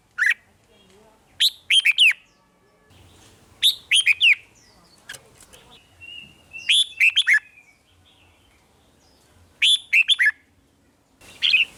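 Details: Red-whiskered bulbul singing the 'rik' song meant to excite caged birds. Chirpy warbled phrases of three or four quick notes recur every two to three seconds, with faint low background rumble.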